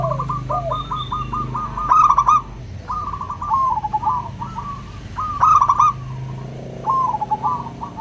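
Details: Local zebra dove song in crystal style, meant to prompt doves that seldom sing: repeated purring trills of quick coos, phrases every two seconds or so, with occasional louder stuttered bursts.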